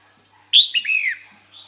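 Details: A female red-whiskered bulbul's male-attracting call, heard once as a sharp high note followed by two descending slurred whistles, with a faint thin note afterward.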